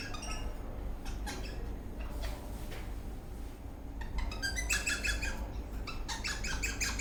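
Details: Eastern rosella parrot in a happy mood while dancing: sparse soft chirps at first, then a quick burst of bright, harmonic chirping notes in the last three seconds, with low background hum.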